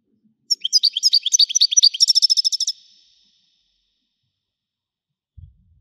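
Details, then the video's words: Widani-style song of a European goldfinch: a rapid run of chirps that speeds into an even, buzzy trill lasting about a second, then silence with a brief low knock at the end. "حسون ويداني حصري صوت مزلزل"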